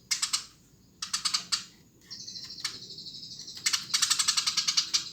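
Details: Short bursts of harsh chirps from a Eurasian tree sparrow, a drawn-out buzzy tone linking them, ending in a rapid rattling series.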